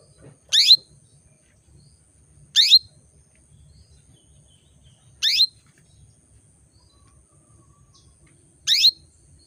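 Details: Female canary calling males into breeding condition; four sharp upward-sweeping buzzy chirps spaced roughly two to three seconds apart, each brief and bright, with quiet low background rumble.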